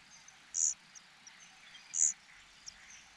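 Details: Starving cuckoo nestling among the host birds' chicks, ignored by the foster parents. Two loud, piercing high hiss-like bursts about one and a half seconds apart, with soft thin chirps in between.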